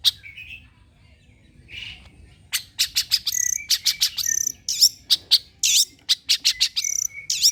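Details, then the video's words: Long-tailed shrike lure song to make other shrikes respond: a quiet start with a soft whistle, then a lively run of sharp clicking ticks mixed with high squeaky notes. "PANCINGAN CENDET TERBAIK, SEMUA JENIS CENDET PASTI NYAUT BUNYI DIBUATNYA"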